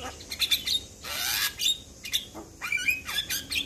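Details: Javan pied starling song used as a training recording to make young starlings respond quickly: a jumble of harsh squawks, chattering notes and short whistles, with one long noisy rasp in the first half.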